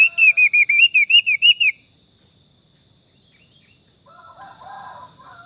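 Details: Orange-headed thrush singing, offered as therapy for stressed thrushes gone silent: a rapid run of about ten looping whistled notes, evenly spaced, followed by quiet and then a low, soft chatter.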